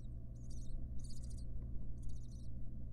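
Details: A barn owl mother tends her nestlings in a wild nest box. Three thin, chittering bursts of high squeaks, each about half a second long, rise over a constant low hum.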